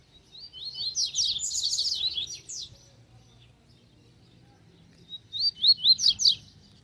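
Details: Double-collared seedeater, a wild bird lured close to a caged one, delivers a fast, bright phrase of tumbling high chirps and sweeping slurs, falls silent for two seconds, then resumes with rising whistled notes and sharp flicks.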